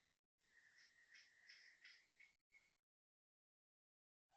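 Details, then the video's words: Koel at Toa Payoh, Singapore, 6:28 am on 1 January 2026: a rapid, loud series of sharp repeated notes, about three per second, for two seconds, then stops, over faint background hiss. "Loud koel noises started"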